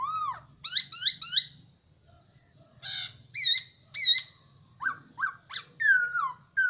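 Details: A year-long captive hwamei mixes a falling whistle, three quick bright upslurred notes, two harsh buzzy calls and a series of descending liquid whistles in a varied, loud song.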